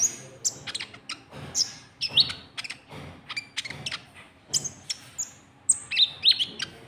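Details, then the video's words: White-cheeked bulbul lure sound meant to draw in rival birds: a busy run of sharp, high chirps and brief whistled slurs, overlapping and irregular across the clip, sometimes stepping down in pitch, with faint clicks in between. "Suara Pikat Burung KONIN TROTOL , Ampuh Buat Pancing Lawan"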